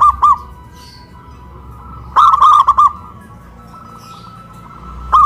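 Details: Zebra dove raised on a pole in Kuningan, West Java, singing; a brief coo at the start, then one loud burst of five rapid rounded notes, and a final short phrase, quiet gaps between.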